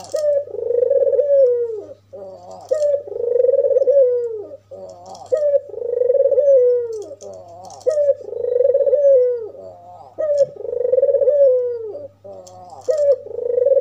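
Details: Red-eyed albino white dove coos to stir up other doves. Each phrase is a brief stuttering opener and a drawn-out, purring coo sinking in pitch. The phrases come back to back every two and a half seconds, with a faint constant hum beneath.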